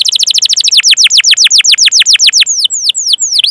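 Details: Canary song used to draw other canaries into singing: a fast trill of downslurred high notes growing broader, closing with a few slower, long whistled sweeps.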